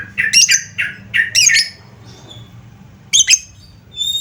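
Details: Lovebird lure sound: a burst of harsh, chattering squawks in quick clusters, then a pause and another short double squawk, with faint background noise.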